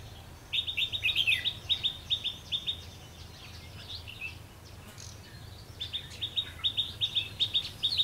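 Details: Red-whiskered bulbul used as a decoy during trapping on a rainy, windy day, 19 March 2016, singing to fight: two bursts of quick, sharp, chirpy notes, each one repeated several times a second, over a low rumble of wind.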